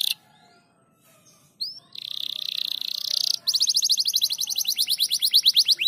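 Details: Crested canary singing in dense gacor rapat style: after a quiet start, a buzzy sustained trill gives way to a fast run of rising, evenly repeated notes.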